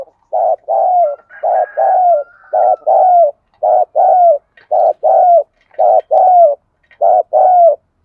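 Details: A decoy spotted dove coos hard, used daily to draw out and provoke wild doves. It gives a steady run of paired husky coos, roughly one pair per second, each second note longer and falling. A faint higher whistle runs briefly near the start.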